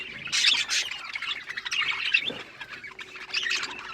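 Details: Chattering pet budgerigars, Australian parrots, producing a steady stream of scratchy, warbling chirps and squawks from several birds at once, loudest at the start.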